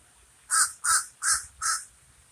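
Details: Four rasping, hoarse caws from a common raven, spaced roughly every third of a second against a quiet background.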